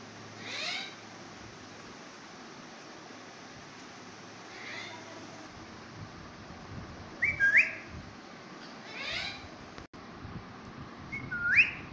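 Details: Pet talking parrot greeting a baby parrot: two sharp, rising whistled notes near the seventh and twelfth seconds, between soft breathy, hissy vocal sounds over a steady low background hum.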